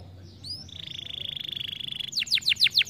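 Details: Canary stimulating song opening with a thin rising whistle, then a long rapid high trill that breaks into loud down-sweeping notes.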